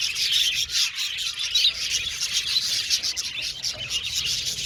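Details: Budgerigars chattering together in a busy, unbroken stream of high twittering chirps and scratchy tweets, with a few clearer whistled notes rising out of the mass.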